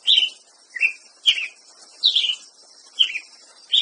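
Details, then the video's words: Ruby-crowned tanager singing: short, slurred, mid-high notes, each dropping slightly in pitch, repeated roughly every 0.6 to 0.9 seconds, six phrases in all, over a faint steady high hiss with one sharp click. "Canto do pássaro Tiê preto"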